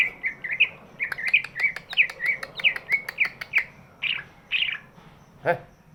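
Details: Big-bodied greater green leafbird singing to coax lazy birds into song: short bright whistled chirps in an uneven string, about a dozen notes with scattered sharp clicks, and a lower harsh note near the end.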